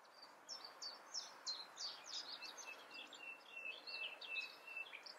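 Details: Singing European robin, Eifel, Germany, heard at a distance: a fast, fainter run of repeated high, tinkling notes forming a steady trill over a soft background hiss.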